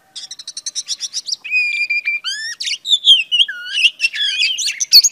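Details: A female Oriental magpie-robin sings to stir a male: about ten quick clipped notes, then clear whistles, some held and some sliding up, then a varied sweet warble.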